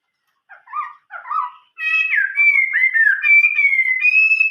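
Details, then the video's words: Chinese hwamei in old-forest style song: two soft rough introductory notes, then loud sustained whistles that bend and warble, rapid fluttering modulation, clean background. "chim họa mi hót giọng rừng già"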